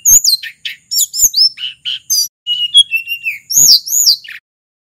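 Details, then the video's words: A Snowy-browed flycatcher from Mount Merapi, in lively, varied song used as a lure: thin, very high, sweet quick slurred whistles, many falling in pitch, in a rapid string of about a dozen notes, with a few faint clicks. "Suara asli burung sulingan"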